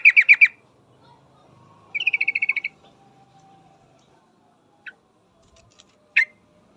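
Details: Female yellow-vented bulbul calling for a male: a short loud burst opens, then a fast string of about ten clipped, bright notes, followed by a few isolated sharp chips against a quiet background.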